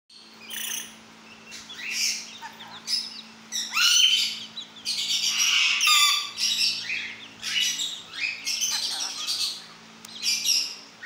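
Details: Pet lorikeet, a talking parrot, giving a run of harsh, buzzy, high chattering bursts and squawks, some clipped and some drawn out, with loud raspy stretches in the middle and quieter chirps between.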